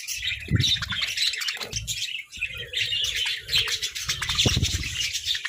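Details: Captive budgerigars playfully squabbling over food: dense, overlapping high chirps and chattering warbles from several birds, with low thumps and knocks beneath.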